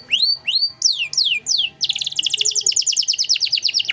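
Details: Canary in 'gacor' song with 'cengkok mewah' ornamentation, recorded to teach other songbirds. Several long rising and falling whistled sweeps give way to a dense, rapid trill of repeated chirps.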